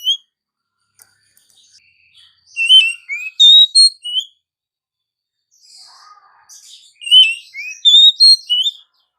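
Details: Oriental magpie-robin singing in the morning: two bursts of clear, varied whistled phrases, sweet rising and falling notes with short chirps, separated by a pause holding a faint low warble.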